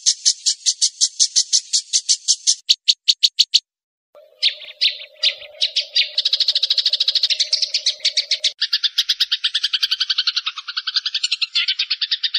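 White-rumped shama in a run of high, rapid, repeated chips and buzzy trills that shift pattern every few seconds; a low steady hum runs underneath midway.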